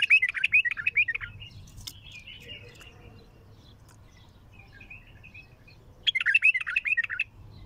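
A bulbul gives two bursts of rich, bubbling warbled phrases, rapid and loud, separated by a quieter pause with faint chirps.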